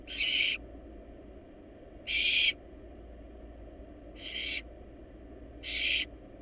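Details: Wild barn owl young in a nest box, eating a large rabbit, produce four coarse hissing shrieks at uneven intervals of about two seconds, set against a steady low-pitched background hum.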